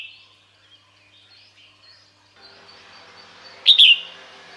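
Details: Female red-whiskered bulbul calling males: soft, thin high twitters at first, then one loud, abrupt double note sliding downward near the end over low background hiss.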